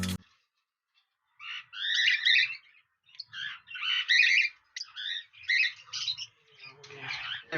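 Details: Lovebirds in a breeding colony, kept alongside cockatiels during the 2020 breeding season, give harsh, shrill chirps in bursts of about half a second, repeated with short gaps after an opening silence.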